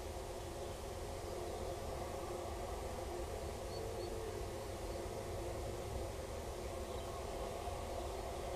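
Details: Steady low rumble and hiss like distant traffic, with no animal calls.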